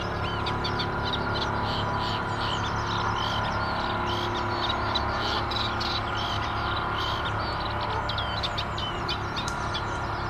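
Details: Eurasian reed warbler singing: a continuous stream of fast, scratchy, chattering notes repeated several times a second, set against a strong steady low rumble of background noise.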